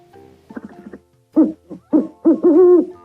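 An owl gives a quick stutter of soft low notes, then three louder hollow hoots, the last drawn out and wavering.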